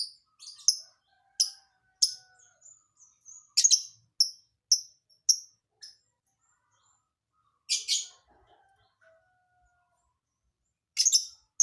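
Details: Lovebird performing an unusual, hard-to-predict isian filler song: sharp, high chirps and short bursts scattered irregularly, a few thin whistled notes between them, with pauses of several seconds.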